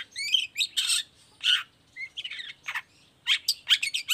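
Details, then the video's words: Lure recording of a long-tailed shrike singing to draw replies from other shrikes, with harsh squawking bursts mixed among thin whistles and quick chirpy notes, delivered in uneven clusters with short gaps. "CENDET GACOR❗PANCINGAN CENDET EFEKTIF BUAT CENDET BAHAN SEKETIKA LANGSUNG NYAUT IKUTAN BUNYI"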